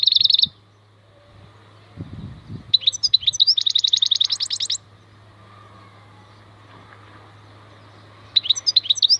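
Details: A maknine khalwi goldfinch delivers a short twittering phrase, then a longer run of rapid buzzy chirps and liquid notes. Quiet gaps separate the phrases, with a low hum and faint handling thumps beneath.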